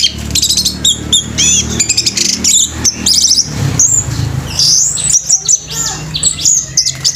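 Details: Orange-headed thrush singing at full speed while spreading its tail and bowing low: rapid, varied high whistles, trills and sharp chirps in quick bursts, with a low hum underneath.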